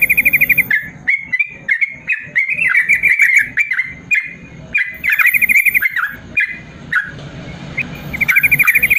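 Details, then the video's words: Long 'ropel panjang' song of a yellow-vented bulbul, used to train lazy bulbuls: busy runs of rattled trills and warbled whistles, with short gaps between bursts and a final quick trill. "BURUNG TRUCUKAN ROPEL PANJANG"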